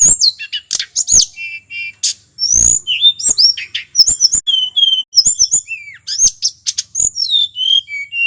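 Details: Wild local male mountain tledekan from Merapi in long, varied song meant to stir other birds: fast high squeaks, upslurred whistles, dry clicks and steady thin tones, almost without pause.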